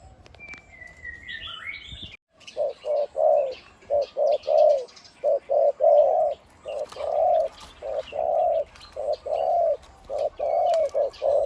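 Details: A male spotted dove kept as a decoy bird in Thailand, noted for its big voice, gives deep, hollow coos in a steady series of paired and triple notes, with a brief whistle from another bird at the start.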